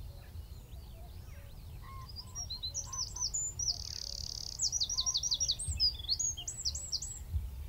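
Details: Eurasian wren in full song from a tree at Wicken Fen, about 15 m distant, phone-and-telescope recording with shotgun mic: shrill twittering builds into a sustained buzzing trill, then loud repeated sweeping notes and more rapid high phrases.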